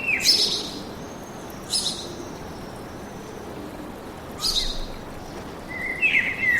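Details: Woodland bird song of high, bright chirp bursts spaced a few seconds apart, ending in a run of clear whistled falling notes, with soft hiss behind.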